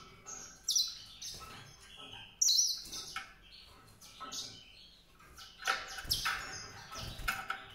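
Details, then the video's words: White-rumped seedeater delivering a lively song of sharp, very high chirps and short trills, some notes loud and abrupt, others softer, in an irregular rhythm. "song canário-de-sobrebranco, Weißbürzelgirlitz, Edelzanger, kanárik sivý, zvonohlík šedý, greysinger"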